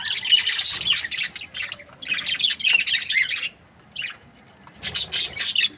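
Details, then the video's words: Harsh high chirping from budgerigar breeding pairs comes in two long chattering bursts separated by a brief silence, then resumes with quick scratchy notes at the end. "Amazing budgie chirping sound | breeding pairs"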